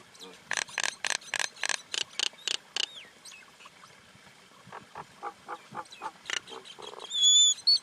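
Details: Common myna chattering in loud, harsh, rasping bursts about three per second for three seconds. Softer scattered notes follow, and a thin high whistle closes the sequence.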